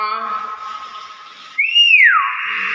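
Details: Common hill myna giving a steady flat harmonic tone, then a clear whistle that rises and falls, followed by a buzzy sustained note, in a small indoor room.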